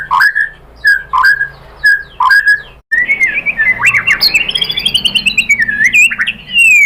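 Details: Lure song of the white-rumped shama (murai batu), full of mimicked filler material meant to make rival shamas reply; a downslurred whistle repeated four times, then a long rippling run of rapid trilled notes.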